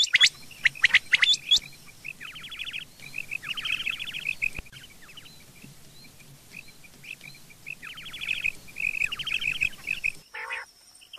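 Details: Morning calling of rain quail: loud sharp chirps of other birds open, then paired clipped notes and several rapid falling trills, with a soft background hiss and a brief noise burst near the end.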